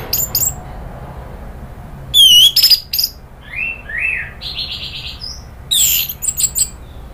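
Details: Orange-headed thrush (anis merah) in lure material meant to make other thrushes agitated: scattered phrases of high, sliding whistles, buzzy mid-pitched notes and squeaky trills, separated by short silences.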